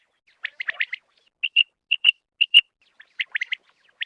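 Common quail giving sharp, liquid, high whistled notes in quick pairs and clusters, about two groups a second, against a quiet background.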